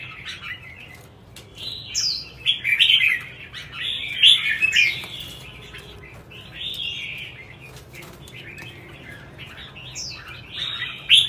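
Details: Red-whiskered bulbul in song competition: short warbled phrases of bright slurred notes, repeated every second or two with brief pauses, a faint steady background hiss.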